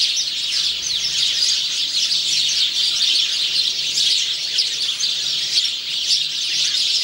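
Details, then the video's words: A male house sparrow singing on 17 November 2009 chirps steadily, a dense run of bright, high cheeps with almost no pause for seven seconds. "House sparrow male singing, huismus man zingt"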